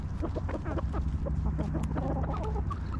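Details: Hens in a backyard coop cluck in quick, irregular bursts of short notes. A constant low-pitched hum runs underneath.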